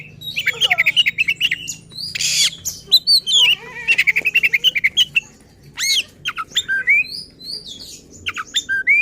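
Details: Oriental magpie-robin in agitated, insistent song meant to provoke other magpie-robins: quick bursts of repeated chattering notes mixed with harsh rasps and clear rising whistles.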